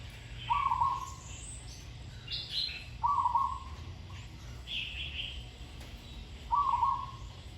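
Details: A zebra dove under training sings a good pattern: three trilled, purring coo phrases spaced about three seconds apart, with sharp higher chirps and twitters from other birds between them.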